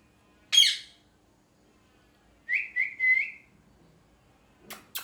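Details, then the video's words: Parrot screaming and calling: a loud, harsh broadband screech, then after about two seconds a short run of three or four clear whistled notes, followed near the end by two sharp clicking bursts. "Natural Parrot Sounds | Parrot Screaming Sounds | Parrot Calling Sounds"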